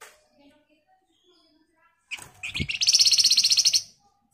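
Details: Scarlet minivet (flamboyan) singing excitedly in the dense, chattering ngebren style used as a lure to make other birds answer: a few rising chips, then a fast, even trill of about sixteen high, sharp notes lasting nearly two seconds.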